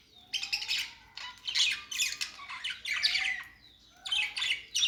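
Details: Budgie chirping and singing, called a happy sound: loud rasping warbles in four or five clustered bursts, mixed with faint thin whistles between them, each burst buzzy and crackling.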